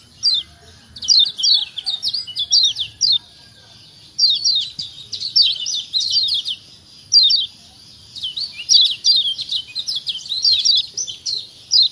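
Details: Lombok kecial kuning, a white-eye, in a lure to get lazy birds singing: three long bursts of fast high chattering chirps separated by brief quiet gaps, with a clean background.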